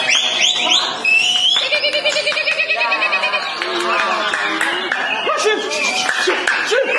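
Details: Caged greater green leafbird (Chloropsis sonnerati) in a continuous fast varied song of whistles, chattering trills and buzzy mimicked notes, other cage birds faintly behind; finding: greater green leafbird.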